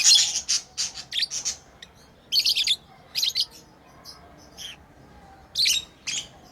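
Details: Playing pet lovebirds open with a quick run of shrill chirps, then give scattered harsh bursts, a few fainter softer notes between them.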